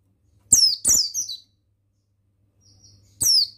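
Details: Male buxtoni mountain white-eye, recorded as training song for other birds: three quick high descending twitters in a row, a pause with a faint thin tone, then one more shrill falling phrase.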